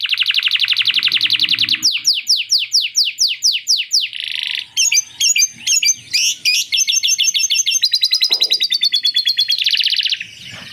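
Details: Canary singing a long song filled with lovebird ngekek imitation: a fast rolling trill, a series of steep downward sweeps, then chattering notes, buzzy rattles and rapid high trills.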